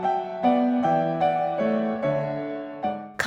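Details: Soft keyboard music with a sequence of sustained chords changing about every half second, and no animal sound.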